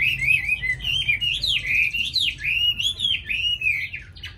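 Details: Chinese hwamei, tame and caged in Hanoi, Vietnam, singing eagerly: loud looping whistles that climb and swoop in a flowing, melodious phrase lasting several seconds, with a brief sharp note at the end.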